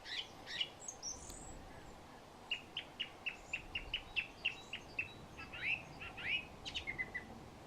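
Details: Song thrush singing from the very top of a tree beside a path leading from a hide, East Coast Nature Reserve, Co. Wicklow, Ireland, late winter or early spring: a rapid run of about a dozen identical short high notes, then varied chirpy phrases.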